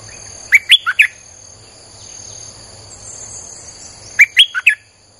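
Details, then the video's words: Streak-eared bulbul song used to lure wild birds: two short bursts of four quick, bubbly notes several seconds apart, over steady high-pitched background whine. "เสียงนกดอกแตงEp.159จ้าวขุนศึก สับดอกแบบไม่พัก!!ใช้เปิดล่อนกป่า Suara pikat merbah lekir"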